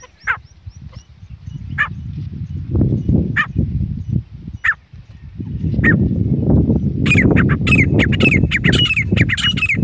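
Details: Grey francolins, a pair in jungle, give a few spaced harsh calls, then a fast run of shrill repeated notes near the end, over a constant low wind-like rumble; Grey francolin call.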